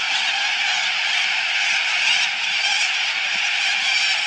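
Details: At Biloela, a large flock of little corellas makes a dense, unbroken wall of harsh rasping screeches, loud and steady with no pauses.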